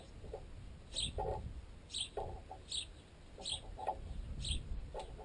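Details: A group of sparrows pecks at baguette stuck in a tent guy line, with young birds that can fly but are still fed by the adults. Bright, sharp chirps sound about once a second between dull, thudding pecks.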